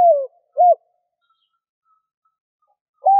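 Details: Spotted dove calling to lure wild doves: a falling coo, then a short arched note, a pause of over two seconds, and the start of the next phrase, all low and mellow with a quiet background.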